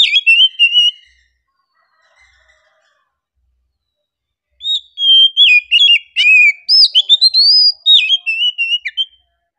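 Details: Oriental magpie-robin singing a calm, relaxed song: a brief flourish of whistles, several seconds of silence, then a long rich sequence of quick whistled and slurred notes.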